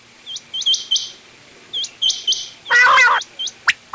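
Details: Mixed quail voices used for quail hunting, including ghungay wal, dogla and changa types: high, hooked chirps, some doubled, in short bursts, interrupted by a loud harsh rasping burst near the end.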